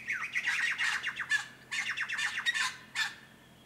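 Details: A likely pair of Noisy Friarbirds (ssp monachus) at a pond or reed-edged dam, Capertee Valley, NSW, Australia, on a warm sunny day in mid September, give harsh, raucous, chattering squawks in two bursts, with a brief third note.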